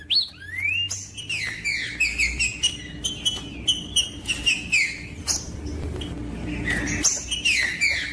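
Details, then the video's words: Green-winged saltator song played to warm up and stimulate captive birds kept for singing tournaments: loud clear whistled phrases, slurred and falling, in quick runs with short breaks, plus faint low background hum. "TRINCA FERRO CANTANDO"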